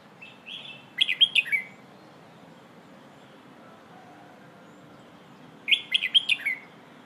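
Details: Two bursts of lively whistled warbling from a Red-whiskered bulbul performing the 'phleng ho' style of song used for training young birds. Each phrase is a rapid run of slurred notes ending in a downward glide, separated by nearly five seconds of quiet hiss.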